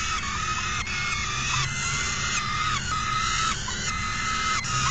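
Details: Falcon calling during an afternoon feeding on June 3, 2021: a sustained, harmonic-rich wailing cry holds steady for several seconds, broken by brief gaps roughly every second, over a constant low background hum.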